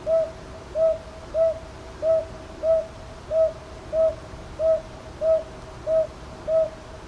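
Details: Northern boobook recorded at Ichijoji, Sakyo Ward, Kyoto, Japan, on 22 May 2023 with a TASCAM DR-100MKIII: a steady series of eleven soft, mid-pitched hoots, evenly spaced about two thirds of a second apart, over quiet background hiss.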